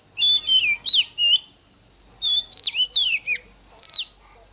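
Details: Oriental magpie-robin morning song, played to train young birds: short bursts of clear, sweeping whistles slurring up and down, with a steady, thin, high-pitched tone throughout.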